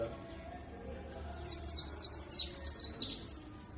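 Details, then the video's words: High, quick series of about seven downward-sliding chirped notes from a dakun warbling white-eye of Bondowoso, East Java, used as a lure so other birds sing along; quiet before and after. "Pancingan Pleci Dakun Jatim Bondowoso supaya ikut bunyi"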